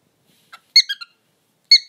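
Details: Pet bird uttering a soft squeak followed by two sharp bursts of piercing, high chirps about a second apart, each breaking into rapid squeaky notes.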